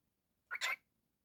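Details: Pet cockatiel indoors giving a single short, harsh chirp that rises sharply, lasting under half a second, in an otherwise quiet room.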